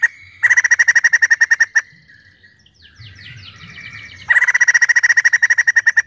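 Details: Energetic White-crested laughingthrush singing, described as full of emotion: two bursts of rapid, evenly repeated loud chattering notes, separated by a quieter stretch of sliding whistled phrases and low murmurs.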